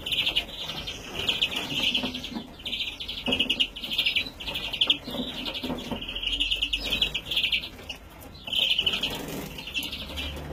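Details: Young European greenfinch, recorded 2017, repeats wheezy, buzzing calls about every half second to a second throughout. Soft rustles and a steady faint hum are heard in the background.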